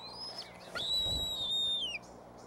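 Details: Young bald eagle begging at the Decorah nest, 06-03-2015, around 5:45 pm, while waiting to be fed; one short high note, then a single long, level whistled squeal that slides down at the end, with a soft thump beneath.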